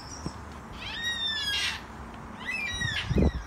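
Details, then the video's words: Yellow-tailed black cockatoos in a backyard give two drawn-out, wailing calls about a second and a half apart, slightly rising then falling, harmonic and plaintive, over low background rumble and a few knocks. "Yellow tailed black cockatoos"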